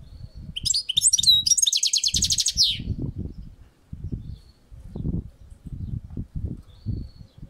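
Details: European goldfinch singing on a balcony: a rapid, rattling twitter of repeated buzzy high notes for about two seconds, then quieter as a steady low rumbling noise continues throughout.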